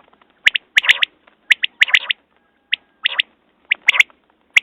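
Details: Common quail calling: sharp, clipped chirps in pairs and short bursts, loud and irregularly spaced over nearly five seconds, with faint clicks between.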